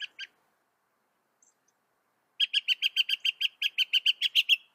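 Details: Northern mockingbird from North America: two quick chirps, a pause, then a fast steady train of about sixteen identical clipped notes, repeated several times a second.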